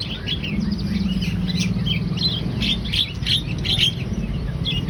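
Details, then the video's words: Javan myna singing in gacor style, a busy, excited chatter of rasping chips and brief bright whistles in quick irregular bursts, with a faint low rumble underneath. "Jalak kebo gacor"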